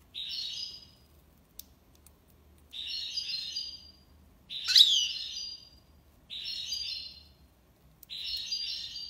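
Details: European goldfinch song in the tiwawati style, given as evenly spaced bursts of fast, tinkling, buzzy trills, five phrases roughly two seconds apart with silent gaps, one phrase sharper and louder in the middle.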